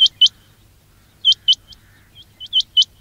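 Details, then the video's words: Quail trapping call: a few loud, high upward-sweeping chirps, first a pair, then a pause of about a second, then scattered single and paired chirps, with a faint low hum. "quail batair ki awaz"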